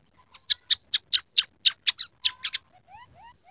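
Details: Scaly-breasted munia in full song, its singing filled with rough canary sounds plus house sparrow and red siskin elements: about ten harsh, buzzy notes in a steady series, then soft rising whistled slurs.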